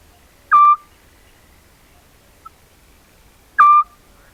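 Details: Eurasian scops owl, a migrant arriving around March to April, singing at night near Corte Franca, captured by a camera trap: single short mellow whistled hoots, evenly pitched, spaced about three seconds apart, in an otherwise quiet background.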